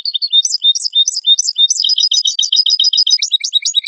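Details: A goldfinch song recording from 2022, used as a lure for catching goldfinches: a rapid, liquid twitter of high, varied chirps that becomes an even stream of quick repeated notes, with a few lower notes near the end. Nothing else is audible.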